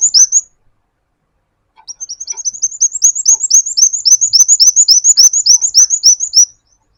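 A sunbird gives rapid, high, thin chirps, about three or four a second. There is one short burst, a pause, then a long run of sweet notes.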